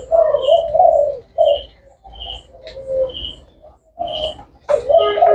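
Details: Spotted dove of the 'thái hậu' type giving low, throaty coos in short bursts separated by brief pauses, with thin high chirps from another bird punctuating the gaps and a click near the end.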